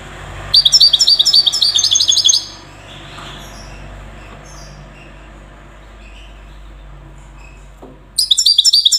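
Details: A European goldfinch in Safi, Morocco, gives a two-second burst of rapid, ringing twitter in the Widani style, followed by a long stretch of background rumble before another brief twitter at the end.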